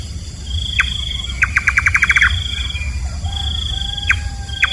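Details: Nightjar, nok kaba in local Thai usage, hunting at night: one knocking note, then a hurried series of about ten even notes, then scattered lone notes. A high insect tone and a faint lower whistle are also heard.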